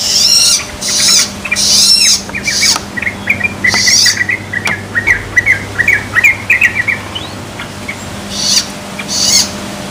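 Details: Young yellow-vented bulbul just learning to sing: a long run of short, rapid bubbly chirping notes, mostly mid-pitched, with loud broadband scratchy bursts and a steady low hum behind.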